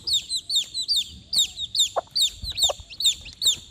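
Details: Young chickens calling for the mother hen, steady high peeps about two per second, each a short arched whistle, joined by a couple of low clucking notes in the middle.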